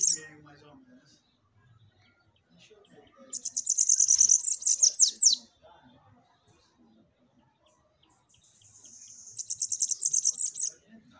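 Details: Bananaquit singing to rouse captive birds: two clear bouts of rapid, high, buzzy chatter, each about two seconds and ending in falling sweeps, separated by a long quiet pause.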